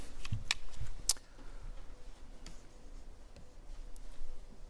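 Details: Scattered sharp ticks and clicks over low background rumble, without any animal call.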